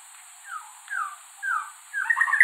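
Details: Male white-rumped shama singing to attract a mate: three downslurred whistles about half a second apart lead into a louder, tumbling warbled phrase.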